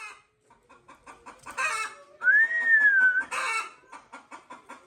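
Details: Chickens cluck in short, low, steady bursts, about three per second, at a farm home where a pet talking myna is kept; midway comes a loud whistled note that rises then falls, with two noisy rustling bursts.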